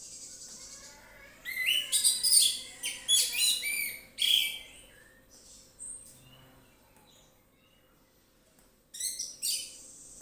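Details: Orange-headed thrush, relaxed 'ngeplong' singing: several loud bursts of fast, varied whistles and twitters, a pause with faint notes, then another brief rich phrase.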